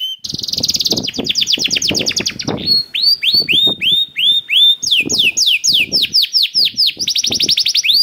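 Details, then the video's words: Canary (kenari) singing to get other canaries going: a dense high trill, then a series of rising-falling whistled notes about three per second, followed by fast descending note runs, with faint low clicks underneath. "KENARI GACOR CENGKOK ISTIMEWA #213 || VOICE OF CANARY"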